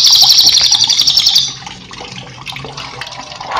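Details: Cililin song used to train cage birds: a high, rapid rolling trill lasting about a second and a half fades out, leaving soft chirps and a gentle wash of running water.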